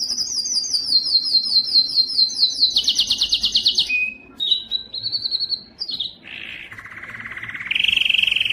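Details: Canary singing for tutoring young birds and stirring males: high fast repeated notes accelerating into a dense trill, scattered chirps, then low rolling and rising trilled tours.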